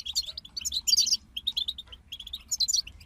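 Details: A group of European goldfinches sings quick, tinkling phrases of bright chirps and buzzy twitters, rising and falling in loudness, with a faint steady hum in the background.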